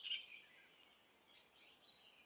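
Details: Female Verditer flycatcher in Hong Kong gives a few thin, high chips, then two sharper, higher notes about a third of a second apart, over faint background hiss.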